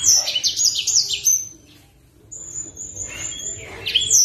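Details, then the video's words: Blacksang sunbird, a kept master bird singing strongly, gives a fast string of piercing twittered notes, falls briefly silent, then adds a long thin high whistle followed by more sharp chips. "Master BLACKSANG Gacor"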